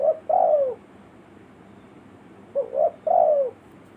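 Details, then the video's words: Spotted dove village-style lure call for forest birds: two phrases, each a short rising double coo followed by a longer downward-sliding coo, separated by a two-second pause. "suara burung tekukur pikat.suara kampung.elok untuk pnlangil burung hutan"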